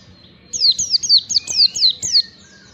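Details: Oriental white-eye song used to train caged birds: a run of about seven high, sharp descending whistled notes, each sliding down quickly, repeated roughly every quarter second, with a fainter lower whistled line beneath.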